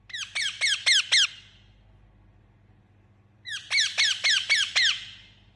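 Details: An Indian ringneck parakeet, a pet, gives two bursts of harsh, sharply falling squawks, four or five in each burst at about four per second, with a quiet pause between the bursts.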